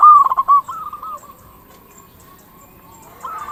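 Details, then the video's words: Local zebra dove used as a lure for calling zebra doves: an opening burst of fast, loud, pulsed coos trails into soft, drawn-out cooing, then a new phrase begins. "Perkutut lokal gacor suara paling ampuh untuk pancingan burung perkutut agar cepat bunyi"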